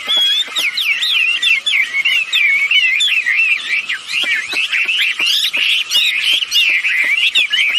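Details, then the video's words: Wambi birds, male and female, calling busily as lure sound: a continuous stream of quick twisting whistles and twittering notes, loud and unbroken, with scattered sharp ticks. "Suara burung wambi betina jantan gacor"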